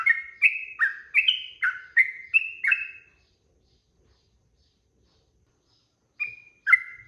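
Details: Sooty-headed bulbul song for teaching birds to sing: a burst of about eight quick, bubbly, descending whistles, a silence of about three seconds, then two more notes.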